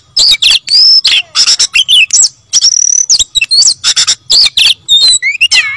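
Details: Oriental magpie-robin, described as gacor ngotot (singing constantly and insistently), delivering a loud varied song of clear whistles, rising and falling slurs and harsh buzzy notes in quick bursts.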